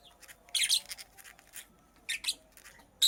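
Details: Harsh, raspy squawking bursts from a female purple lovebird busy nest-making, two clusters of grating notes separated by a brief pause, ending with another loud burst.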